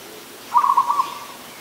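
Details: Adult zebra dove recorded in Ubon Ratchathani, Thailand, on 24 December 2020, giving one short, rapid, staccato rolling coo of about half a second, then fading out against quiet background hiss.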